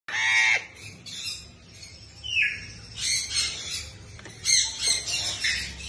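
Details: A new baby lorikeet in an aviary gives harsh, high, screechy squawks in uneven bursts, roughly five in six seconds, over a faint low hum.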